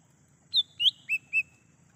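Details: Lesser green leafbird in the wild, recorded for luring and calling. Four whistled notes stepping down from high to lower pitch, the latter two short and rounded, over a faint steady background hum.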